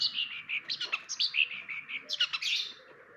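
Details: Cendet song, a long-tailed shrike's rapid chirruping with sliding whistled notes and short trills, loud at first and fading toward the end, over a soft low background hum.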